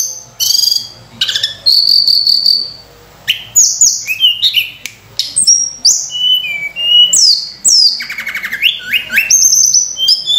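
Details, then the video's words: Sunda robin in full varied song, used as a training lure for other birds: a long run of high whistles, sweeps and fast trills, changing constantly across about ten seconds. "tledekan gunung gacor full isian mewah‼️untuk pancingan"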